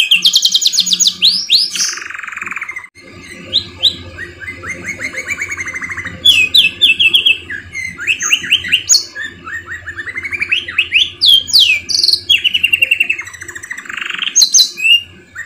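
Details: Canary song used as a tutor recording for training, in a rich varied style: fast rolling trills, chattering buzzy runs and high sweeping whistled notes in quick changing phrases, loud and bright, with a faint low hum behind.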